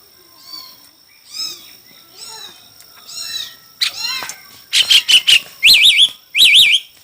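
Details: Chinese hwamei in a singing contest: four spaced, softer harmonic notes give way to a rapid, loud burst of short notes, then strong wavering whistles repeated twice.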